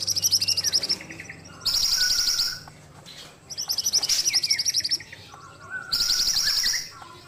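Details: Ashy tailorbird delivering four shrill, rapid trilled bursts, each about a second long and separated by short gaps, with softer lower notes in between.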